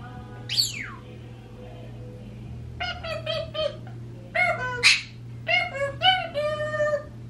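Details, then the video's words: Pet parrots left alone indoors, a 26-year-old African grey and a 16-year-old Quaker parrot, giving a sharp falling squeak followed by bursts of harmonic, beep-like mimicked notes, several in quick succession, with a steady low hum behind. "When Parrots Are Left Alone"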